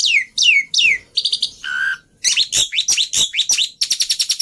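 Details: Lively black-winged myna song played to get stalled mynas singing again: descending whistled slurs, a buzzy doubled note, a steady lower whistle, then a dense stream of rapid high chirps and rasps.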